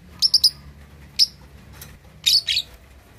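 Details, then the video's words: Juvenile lovebird, two and a half months old, learning to chatter; three rapid shrill chirps, a lone note, then a rough doubled squeak at the end. "Love Bird Usia 2,5 Bulan Belajar Ngekek || Paud Balibu Cocok Buat Memancing Lawan..!!!"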